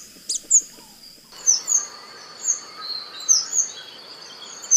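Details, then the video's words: Chestnut-vented Conebill (Conirostrum speciosum) singing very high, thin, sibilant notes in quick pairs repeated every second or so, over a steady high insect-like hiss. "O canto da Figuinha de rabo castanho"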